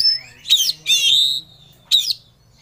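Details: Oriental magpie-robin singing with full emotion as it seeks a rival: a high thin whistle followed by two loud harsh, buzzy bursts and a final short sharp phrase, over faint low hum.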